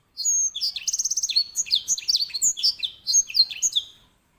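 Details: Loud, continuous song of the edel sanger, a finch kept as a tutor for canaries: high slurred whistles with a fast even trill near the start, running for nearly four seconds.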